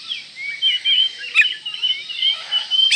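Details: Oriental magpie-robin in breeding condition, singing to provoke rivals: soft, continuous high warbled phrases with gliding whistles and a single sharp accented note midway, then another at the end.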